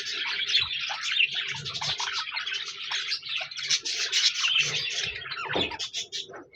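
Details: Budgies in a noisy chorus of quick chirps, warbled chatter and harsh squawks that swell and dip, with a few low thumps and a steady faint hum beneath the birds.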